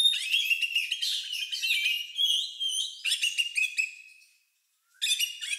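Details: Oriental magpie-robin song described as unusual, somewhat like a lovebird's, used to prompt other birds to sing: rapid jumbled chirps and whistled notes, a dense warbling phrase, a brief silence, then another burst.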